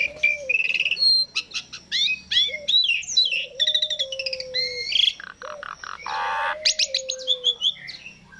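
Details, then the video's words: Lure song of Asian pied starling to get birds singing: dense medley of whistled rising and falling notes, rapid chips, a low wavering whistle and a harsh grating burst late on. "Pancingan jalak suren langsung bunyi"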